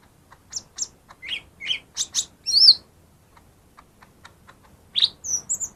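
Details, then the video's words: Song of a lesser green leafbird, a lure for birds slow to sing: a lively string of sharp chirps and slurred whistles, a loud high note, quiet ticks, then more whistled phrases. "suara burung cucak ijo mini yang paling ampuh buat pancing yang malas bunyi"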